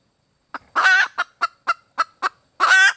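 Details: Red junglefowl hen calling for a mate: one long harsh squawk, then five evenly paced single clucks, and another drawn-out squawk closing the sequence.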